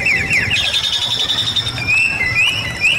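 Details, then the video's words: A Bali myna in full song gives quick, repeated whistles that slide up and down, over a steady thin high hum and a low background rumble; the recording is meant as a master and lure song for training other birds. "Suara Jalak Bali Gacor"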